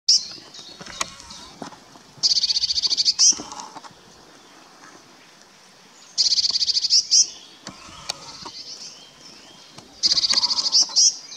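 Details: Eurasian blue tit courting in forest at Kotthausen, Wuppertal Beyenburg, North Rhine-Westphalia, on 12 May 2021; three bright, rapid high trills of evenly repeated notes, each ending in a sharper note, spaced about four seconds apart, with faint forest background.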